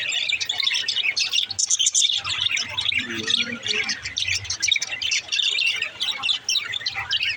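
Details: Budgerigars keep up a steady twittering babble of high chirps and trills, with a few lower gurgling notes partway through.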